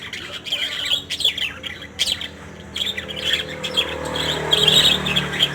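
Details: Several colourful lories giving harsh, high squawks and scratchy chirps in irregular clusters, loud bursts separated by brief pauses, and a steady low background murmur.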